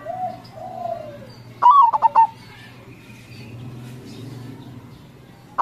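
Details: Crossing-style song of a local zebra dove, played as a lure for answering doves: soft sliding coos first, then one bright phrase of an upswept whistle and rapid stuttered notes, another phrase beginning at the end.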